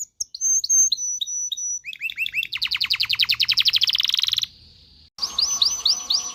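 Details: Canary song meant to stimulate mating. Clear whistled notes descend into repeated chirps, then a loud rapid trill of many quick notes. After a short pause come rising upslurred whistles over a faint low hum.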